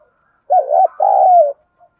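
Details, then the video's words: Spotted dove of the local 'đồng thổ' voice, cooing to stimulate other doves to respond: a low two-part coo, a short burr then a longer sustained note gently falling at the end. "cu gáy thúc gù giọng đồng thổ, chim cu gáy kích bổi nhanh nổi nhanh"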